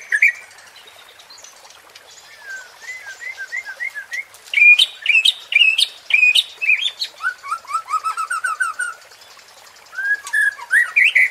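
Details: White-rumped shama (murai batu) singing a provoking 'pancingan' song used to stir competition birds: varied clear whistles, quick upslurred and downslurred notes in bursts, a pause, then a fresh phrase of rising whistles.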